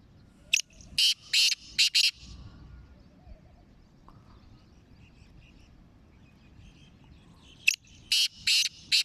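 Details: Sindhi black francolin, from Sindh and Punjab, giving two harsh grating phrases of four to five rasping notes each, separated by about six seconds of quiet with faint distant chirps.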